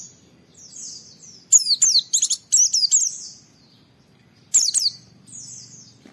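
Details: Kept Oriental white-eye singing to prompt other white-eyes to respond: soft high trills, then a loud rapid cluster of sharp, twittering downslurred notes, a pause, another short burst and a faint trailing trill.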